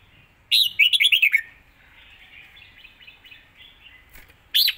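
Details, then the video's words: A Red-whiskered bulbul sings a quick zone-style phrase of about seven tumbling whistled notes. Soft background warbles follow, then a bright whistle starts the next phrase. "สายเพลงโซนห้ามพลาด"ทีเด็ดเพลงโซนปากไว เพลงรัวๆ"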